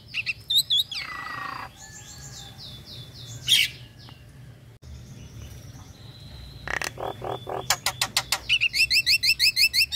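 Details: Female Nias hill myna calling to the male in breeding season mood. Soft mixed whistles and squeaks give way to harsher notes and end in a rapid, evenly repeated series of sharp calls.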